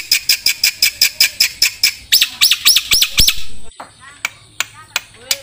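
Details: Training recording of a black-winged starling singing for songbirds to copy: quick harsh repeated notes, then louder arched whistled phrases, ending in scattered sharp clicks and soft chirps.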